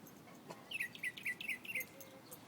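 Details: A bird singing a quick run of about seven bright, downslurred whistled notes, evenly spaced over one second, with a faint low hum behind.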